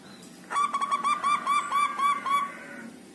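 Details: Local zebra dove singing in a group cage after five days: one loud burst of quick, evenly repeated rolling coos, each note clipped with a slight upward flick, lasting about two seconds, over quiet background.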